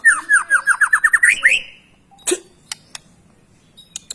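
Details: White-rumped shama singing gacor, used to train young or lazy birds: about ten quick rising whistled notes in a steady run ending in a slur, then near silence with a few clicks.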